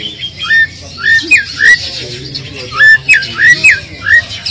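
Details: Oriental magpie-robin lure song meant to make a low-spirited bird answer: clear upslurred whistles repeated in short pairs, mid-high and loud against a steady background hiss.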